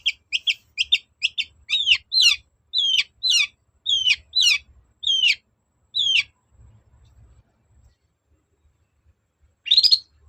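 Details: Long-tailed shrike in a lure recording aimed at making other shrikes answer: a steady series of sharp, downward-slurred whistled notes repeated about twice a second, a pause, then one harsh burst.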